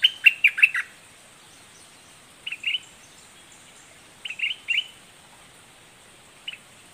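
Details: Red-whiskered bulbul with a fierce, spirited song: a loud cluster of four sharp whistled notes, then short two- and three-note bursts spaced a couple of seconds apart, and a single final note.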